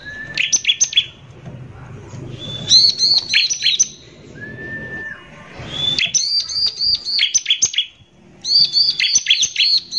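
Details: Energetic 'gacor' bar-winged prinia giving its harsh 'nembak kasar' song, meant to agitate rival prinias. High, clipped notes rattle in fast bursts of about a second, separated by gaps and a brief slurred whistle.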